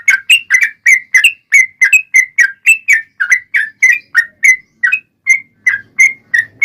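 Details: A yellow-vented bulbul sings a long rapid-fire song, played to draw other bulbuls into song. Clear gurgling whistles, some up-slurred and some down-slurred, follow one another in an unbroken rhythm of about three notes per second.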